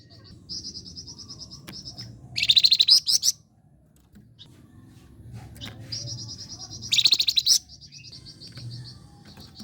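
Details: Flame-breasted flowerpecker song, used as a lure for training songbirds: two loud, rapid, buzzy high trills about four seconds apart, each led in by a thin, even, high-pitched twitter.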